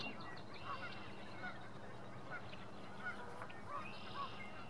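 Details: Double-crested cormorants at their nests in early April, when parents are feeding begging young by regurgitating fish, give short, nasal honking squeals, one every second or so, over a steady low rumble of colony noise.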